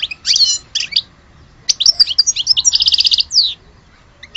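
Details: Goldfinch delivering a rich twittering phrase: scratchy chirps, a pause, then a rapid stream of mixed notes ending in a quick even trill and a falling whistle.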